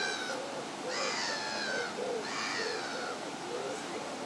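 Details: Egyptian goose with goslings growing up at South Pond, Midhurst, gives two harsh, raspy, wheezing calls about a second and a half apart, with soft lower hooting notes in between.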